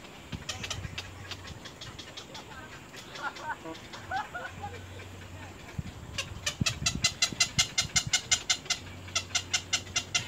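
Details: Nestling little egrets pecking hard at their mother: a softer, mixed passage of scattered squeaky notes gives way to a fast, regular run of sharp ticking calls, over a low droning hum.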